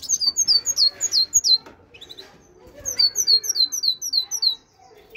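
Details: Great tit song: rapid series of high, two-part whistled notes, about three per second, in two bursts separated by a short pause, with faint background chatter.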